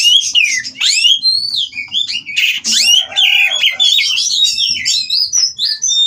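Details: Breeding-farm Oriental magpie-robins during mating, song meant to rouse rivals into singing: continuous loud medley of slurred whistles, swoops and rasping notes, varied and unbroken, with faint low background rumble.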